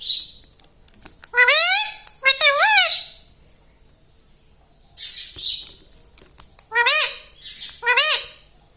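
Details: Pet rose-ringed parakeet (green ringneck parrot) talking at home, calling out words like "mummy" and "mithu" in harmonic, parrot-voiced syllables, some rising-falling, in two bursts separated by quiet, with raspy hissy squawks between.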